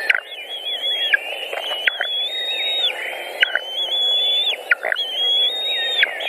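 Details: At a Latvian nest of white-tailed eagles, 14 June 2019, while an adult brings a pike and feeds the chicks, piercing drawn-out whistles hold steady and then fall abruptly, four or five in succession.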